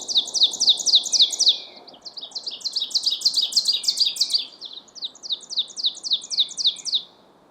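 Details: An Ovenbird sings three rapid songs of loud, ringing two-note 'teacher-teacher' phrases over a soft woodland hush, one morning in May during spring migration at Mount Auburn Cemetery, Cambridge, Massachusetts; song defines territory after males arrive in spring.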